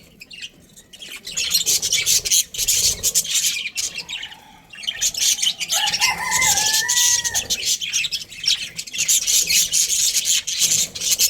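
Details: A breeding pair of Australian budgies gives continuous buzzy, high chirping chatter after a quieter opening. A brief pair of level whistled tones sounds near the middle.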